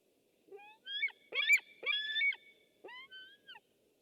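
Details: White-tailed eagle filmed by a webcam on 6 August 2015, giving a broken series of high, harsh yelping notes with strong overtones, some rising and falling, in bursts over about three seconds against a quiet, faint hum.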